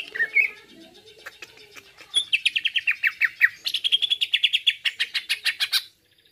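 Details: Greater green leafbird song used as a masteran or pancingan recording meant to make birds agitated: a short chirpy opening, then a fast run of about twenty clipped, slurred notes that rise slightly in pitch and hold steady to the end.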